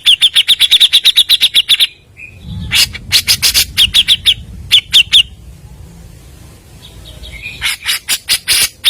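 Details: Grey-cheeked bulbul lure recording of a bird singing nonstop: fast runs of sharp chirps repeated several per second, with a short pause, then more bursts and loud broadband notes.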